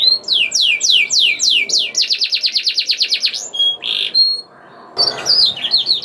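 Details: Canary song used to spur other canaries into singing: descending whistled notes, a fast run of repeated sweeps, short buzzy tones, a pause, then varied rising phrases.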